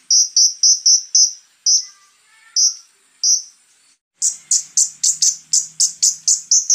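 Scarlet-headed Flowerpecker: sharp, very high ticking notes about four per second, in two rapid bursts split by a short pause, with a faint low hum beneath.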